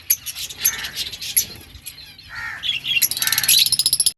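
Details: Lovebirds in a breeding colony give scattered shrill chirps and squeaks, ending in a rapid, rattling burst of sharp chirps from several birds.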